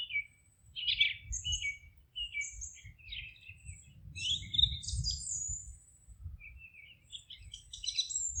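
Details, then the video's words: Several forest birds sing in short bursts of high chirps, twitters and whistled trills that come every second or two and overlap in the middle, over a quiet low rumble. "Forest relaxing sounds of singing birds"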